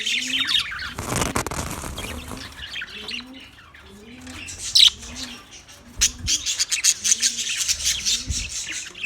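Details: Several budgerigars, recorded 9 March 2024, give sharp squawks and rapid high twittering, louder toward the end, over a background of low repeated rounded notes.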